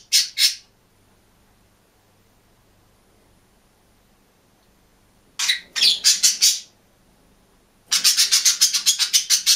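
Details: Green budgerigar alone in a cage makes bursts of fast, harsh, buzzy chatter separated by silent pauses, the last burst a long rapid rattle.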